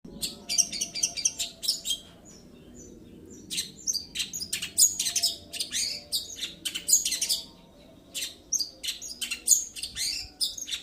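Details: Long-tailed shrike (cendet) singing in rolling style: clusters of harsh, scratchy, very high notes in quick bursts, separated by brief pauses, over a low hum.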